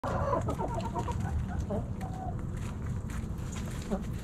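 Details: Backyard hens snacking at Thanksgiving, giving soft, rapid clucks at the start, then scattered low clucking beneath a steady rumble of background noise.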